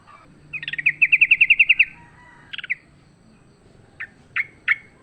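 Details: A wild sooty-headed bulbul in a fight, recorded for luring, delivers an even rattling series of about a dozen notes, then a short triple note and three spaced sharp chips.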